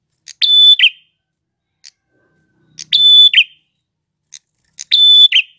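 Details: Male red-headed prinia singing persistently, in a recording used to train other birds: a short tick, then a high steady whistled note ending in a lower buzzy flourish, the phrase repeated roughly every two and a half seconds against silence.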